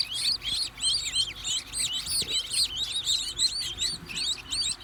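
A bird sings a fast, continuous stream of high, twisting chirps and warbled notes, several per second, with a faint low hum underneath.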